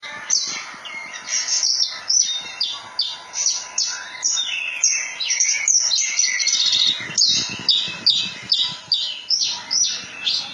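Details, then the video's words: Javan bush lark, or branjangan, singing in the rolling, shooting style called ngerol nembak: a fast, continuous run of high, sharp chirps and short whistled slurs, about two notes a second, with brief dips in loudness. "Kicauan Burung "BRANJANGAN" Ngerol Nembak Mantap !!!"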